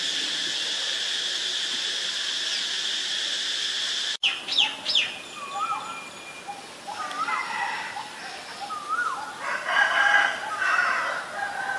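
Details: White-vented myna, Ubon Ratchathani, Thailand, 8 March 2022: a steady high droning background first, then after a sharp break a series of short upslurred whistles and scratchy chatter notes, loudest near the end.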